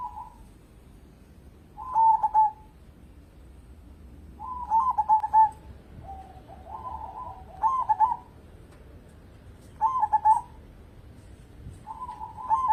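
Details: Zebra dove, a local bird singing energetically and offered as a lure for other birds: a string of soft staccato coo phrases every two seconds or so, with a quieter, lower stuttering trill in the middle.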